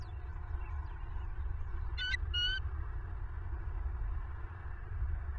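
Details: Two brief high-pitched piping notes from a bald eagle on a southwest Florida nest camera, late evening of 25 November 2022, heard over a persistent deep background rumble.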